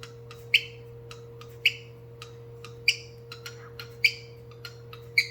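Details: Cockatiel beatboxing indoors: rhythmic sharp clicks and short chirpy pops, with louder accented notes about once a second forming a beat, over a steady low electrical hum.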